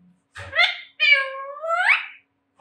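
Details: Talking Alexandrine parakeets in speech training, saying "Jai Shri Ram" and "Mithu Bete"; two nasal, voice-like syllables, the second long and harmonic-rich and gliding upward at its close, in a quiet indoor setting.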